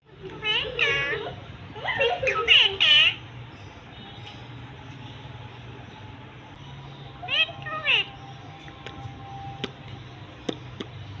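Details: Parrot talking, calling "Mithu": a series of high, nasal, strongly harmonic voice bursts in the first three seconds, another short pair near seven and a half seconds, then quiet with a few faint clicks.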